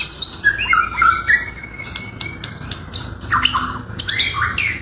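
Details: Murai singing a melodious, varied song of whistled phrases and harsh squawky notes that swing between low and high pitches, with short pauses between bursts.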